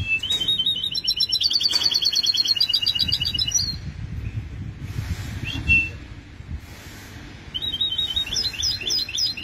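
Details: Hybrid goldfinch (goldfinch mule) in song, 2020: bright, fast, ringing chirps and short trilled runs in several bursts, a brief rough low rumble and a pause in the middle, then another quick repeated phrase.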